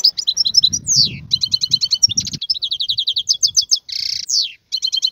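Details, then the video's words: Wild European goldfinch singing a fast tumbling song of bright twittering trills, rapid repeated chip series and down-slurred whistles, with a brief buzzy burst near the end; faint low rumble underneath. "اسمع بأذنيك تغريد هذا الحسون البري. افضل غناء خلوي"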